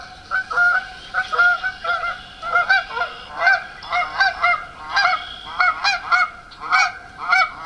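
Canada geese honking in a loud, nasal chorus, overlapping two-note honks about every half second, several birds calling at once.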